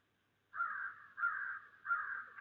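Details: Crows in snowy December give three harsh, hoarse caws, each about half a second long and spaced evenly under a second apart, against a quiet background.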